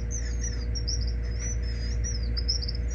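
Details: Rescued gray kingbird nestling being hand-fed, calling in a rapid unbroken stream of high wavering squeaks, a constant machine-like drone running beneath throughout.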